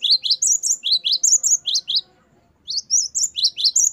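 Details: Gelatik batu, the great tit, in 'gacor wucit variasi' song, meant for training caged songbirds: piercing high two-part notes repeated briskly, a brief silence, then the same rapid phrases return.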